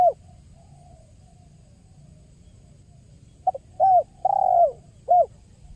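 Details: Spotted dove call used as a lure for trapping: a faint soft coo, a pause, then a louder burst of short cooing notes near the end, with low background hum.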